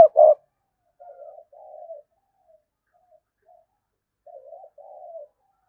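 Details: Lure spotted dove giving its provoking coo to draw a reply from wild birds: a sharp loud hoot opens, followed by soft, wavering low coos in two quiet pairs over near silence.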